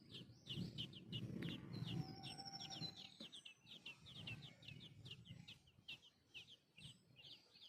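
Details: Nest of sparrow babies being fed by their mother: busy high chirps tumble out fast at first, then thin to scattered pairs and singles, above a soft low rumble.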